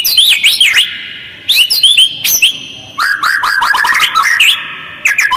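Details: White-rumped shama giving a harsh, fast lure song meant to provoke other birds into answering, with short pauses: bursts of loud whistled swoops and rasping notes, then a rapid chattering run of clipped phrases ending in sharp rising whistles.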